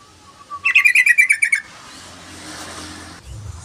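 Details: Yellow-vented bulbul singing as a lure and tutor recording: one soft low note, then a loud burst of about eight quick bubbly notes, each chortled and slightly descending. A hissy background with a low hum follows.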